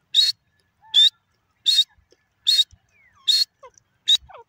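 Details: Francolin, locally called irani gora teetar, calling: six loud, harsh, rasping bursts of about a quarter second each, repeated roughly every 0.8 seconds in a steady rhythm, with faint thin chirps and ticks in the gaps.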